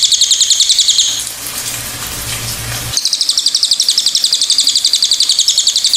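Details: Pied fantail: fast, bright chip series, briefly interrupted by a gushing noise, then a longer steady run of high, evenly spaced notes.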